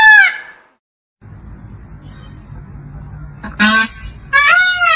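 A peacock gives loud, nasal, trumpeting wails in three short bursts, harsh and rich in overtones, with a low background rumble between calls.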